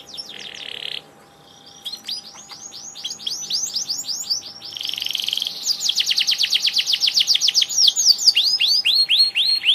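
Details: Canary singing vigorously, a kenari gacor: rapid trills and repeated rising-falling sweeps, stretches of fast rattling notes several per second, with a faint steady electrical hum behind.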